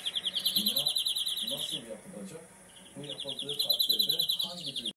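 A European greenfinch sings fast, bright trills of rapidly repeated notes, pausing briefly before starting again, while a person talks quietly underneath.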